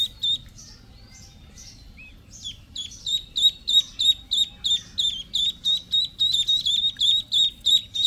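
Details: Young domestic ducks give a few scattered high peeps. These build into a steady, rapid run of shrill, even notes, roughly three per second.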